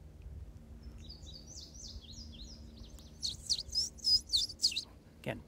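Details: Indigo Bunting, one of two males counter-singing at a forest edge just after returning from migration: a faint distant run of high paired notes, then a loud, close burst of sharp paired whistles about three per second, over a low rumble.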